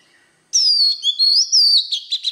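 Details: Oriental magpie-robin in standard wild forest voice, singing to stimulate young birds. A loud, sweet whistle slides down, then rises into a wavering warble and ends in short clipped chips, with a clean quiet background.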